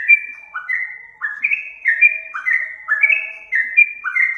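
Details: Yellow-vented bulbul singing for bird luring; sweet whistled phrases of a rising slur then a level higher note, repeated about every half second, with a faint low tone underneath.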